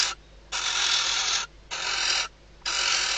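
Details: Female barn owl inside a nest box at Riet Vell Nature Reserve, Ebro Delta, Spain, at night, days before her first chick hatches, calling as the male reaches the outside perch: three long, harsh, broadband hissing screeches.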